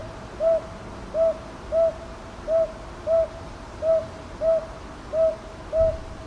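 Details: Northern boobook recorded at Ichijoji, Sakyo Ward, Kyoto, on 22 May 2023 with a TASCAM DR-100MKIII: nine soft, mellow, low hoots in about six seconds, given in loose pairs at a steady pace against a quiet background.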